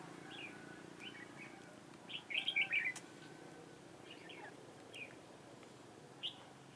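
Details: Decoy red-whiskered bulbul used in trapping, recorded 4 February 2018, giving soft isolated whistles and one clear rapid warbled phrase in the middle, with light clicks and background hiss.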